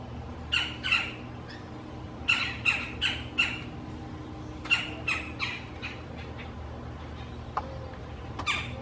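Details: Female Red-bellied Woodpeckers in a backyard dispute over a male's nest site; pugnacious, fighting over territory and mates. Short sharp chattering notes come in clusters of two or three, with pauses between bursts.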